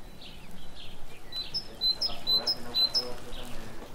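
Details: Great tit at a feeder on an office window, where it comes for walnuts, hazelnuts and seeds. It gives a clear two-note phrase, high then lower, repeated about five times in quick succession, with softer chirps earlier and a low background murmur.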